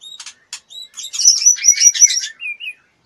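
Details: Sharp clicks open this phrase from a female white-rumped shama in breeding condition, fluttering and soliciting mating, leading into a rapid jumble of high chirps and whistles ending in two short slurred notes.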